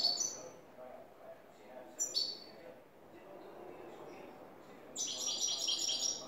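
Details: New European goldfinch singing clean song in the 'tres vueltas' style: bright high twittering phrases of under a second, at the start, near two seconds and a longer run at the end, over a low murmuring background.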